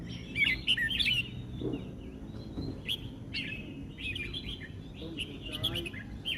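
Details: Red-whiskered bulbul in the 'sai nen kham' song style, delivering rich, liquid warbled phrases several times, with brief quieter gaps between bursts and low steady background noise.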